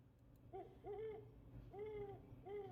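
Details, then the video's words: An owl on a trail camera in the East Tennessee foothills of the Great Smoky Mountains, week of 23 January 2022, gives four low, arched hoots, a couple doubled, within three seconds over a steady low hum. "I love hearing the owl calling"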